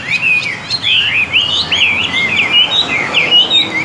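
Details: A fully tame, trained Chinese hwamei (Vietnamese fighting bird) sings a rich, unbroken stream of loud whistled phrases twisting rapidly up and down, with no pauses and no other sounds.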